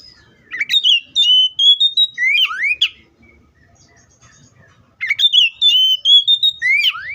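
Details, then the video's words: Oriental magpie-robin singing two matching phrases: a string of clear, level whistles that climbs slightly, then quick rising slurs and sharp chipped notes, separated by about two seconds of near-silence. "THE BIRD COPSYCHUS SAUCARIS VOICES MUCH LONG LIKE IN NATURE!"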